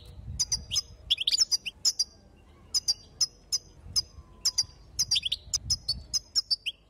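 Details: Goldfinch female calls, European species, used to excite males before singing: rapid bright tweets in a tight flurry, then evenly spaced single high chips.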